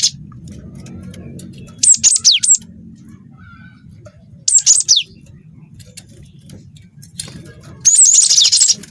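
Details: Glatik watu, the cinereous tit, delivering canary-style phrases: two groups of piercing high downslurred notes separated by quiet stretches, closing with a loud sustained buzzy chatter, low murmur in the background.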